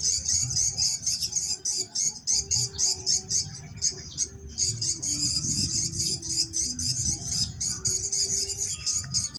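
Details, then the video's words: Location-check swiftlet sound from Jember city, Indonesia: dense high chattering chirps repeated rapidly, nearly continuous with brief gaps, over low rumbling background noise and faint steady tones. "Suara Cek lokasi Burung Walet Jember Kota"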